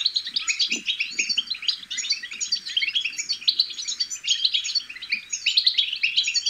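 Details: Busy chorus of European goldfinch chicks, a steady stream of high twittering and tinkling chirps without pause, meant to spur adult goldfinches into song; a couple of soft low thumps near the start.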